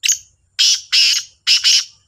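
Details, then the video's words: Black francolin, kala Sindhi teetar, competing in calls with a second bird; a short thin note, then three loud grating bursts, the last split into a quick double, all high and buzzy. "2 تیتروں کا بولائی کا مقابلہ | kala Sindhi Teetar ki Awaz | Black Francolin Voice"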